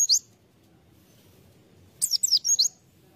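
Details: White-eye serving as a lure bird: one high chirp, a silent stretch, then a brief cluster of thin, falling high notes.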